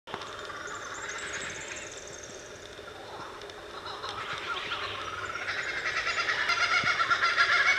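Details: Kookaburras along the King River frontage at Willow Bend break into a rapid, cackling chuckle that swells louder and more excited toward the end, with several birds seeming to join in.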